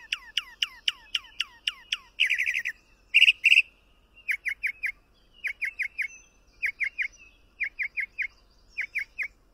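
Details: Mockingbird running through several repeated motifs: a rapid series of falling whistles, two harsh buzzy bursts, then clusters of short chirps in groups of three or four.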